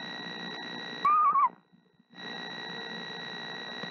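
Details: Screech owl mother sitting on her eggs, singing gently to them before hatching; a single short, trembling, level-then-falling note lasting under half a second, with steady hum around it.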